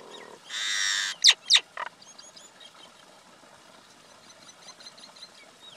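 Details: Common myna, male and female: a long harsh buzzing screech, then three sharp falling squeaks, followed by faint high twittering.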